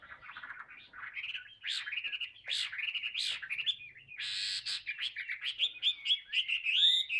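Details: Tame captive Chinese hwamei singing at length: a rich, varied run of loud whistled phrases, slurred up and down, with buzzy bursts mixed in and quickening notes near the end.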